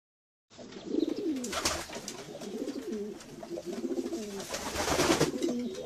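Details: Domestic pigeons giving soft, wavering coos, many birds overlapping in a continuous murmur, with rustling and wing flutters breaking through.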